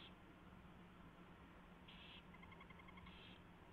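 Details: Owls at the nest during a predawn mouse delivery and feeding on 24 February 2016: two breathy screech bursts, with a quick, evenly ticking chitter in clear stacked tones running between them, over a faint low hum.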